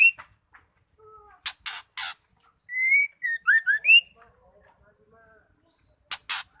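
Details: A female white-rumped shama, used to spur males into song, gives soft notes, three harsh rasps, a clear whistled phrase of rising and short upslurred notes, then two more rasps.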